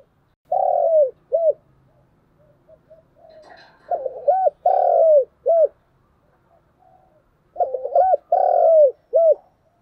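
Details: Spotted dove, a spirited dueling cooer urged on to coo. Three phrases at roughly 3.5-second gaps: a quick doubled coo, then a long, drawn, falling crooo, then a short closing note. Faint higher calls mid-way.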